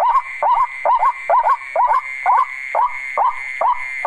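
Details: Repeated white-breasted waterhen calls on test playback: harsh, nasal double-humped notes about every half second, steady and rhythmic, over a persistent high electronic tone.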